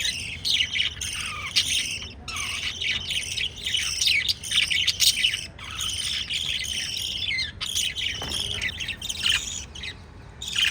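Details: Pet lovebirds, filmed kissing and feeding chicks, give dense, overlapping shrill chirps and harsh squeaky notes almost without pause, with a few brief gaps and sharper upward-sweeping tweets scattered throughout.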